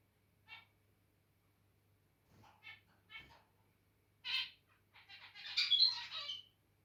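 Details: Pet zebra finches, territorial at first: scattered nasal beeps and soft clicks, then a loud buzzy honk and a fast chattering, squeaky song phrase at the end over a faint hum.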